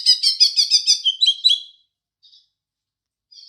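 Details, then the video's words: Green leafbird imitating house sparrow: a fast string of bright repeated chirps for over a second, falling into slurred notes, then quiet with two faint short chirps. "Cucak Ijo Isian Burung Gereja"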